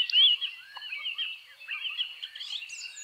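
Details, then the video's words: A male woodlark sings in a warm, sparsely vegetated breeding area in the Czech Republic, in mid-air or on the ground. A loud clear rising note opens fluid, warbling high phrases over a busy twitter of background birdsong. "Bird sounds – Woodlark (Lullula arborea)"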